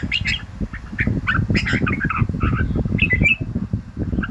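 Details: Red-whiskered bulbul singing in the morning, a training song meant to rouse birds' fighting fire: bright chirped and warbled phrases over heavy low rumbling background noise.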